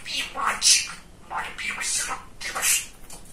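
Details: Pet male budgerigar, known as a chatterbox, producing speech-like warbling: a few breathy, high, word-like phrases with a squeaky accent, in a small quiet room.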